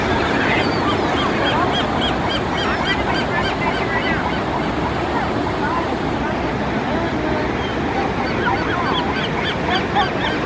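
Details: Seagulls at Malibu Beach on the Pacific Ocean, California: many short, overlapping yelping calls repeated rapidly throughout, set against loud, steady surf and some human voices.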